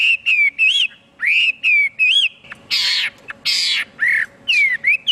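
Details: Chinese hwamei alternating clear, slurred whistles that rise and fall with two long, harsh, rasping outbursts, then sharp descending whistled notes; faint constant hum behind.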